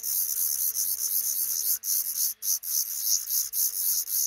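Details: Five black redstart chicks in a nest tucked beneath the roof over a busy front door; rapid, raspy high hissing calls pulse in quick bursts, broken by a few short silences.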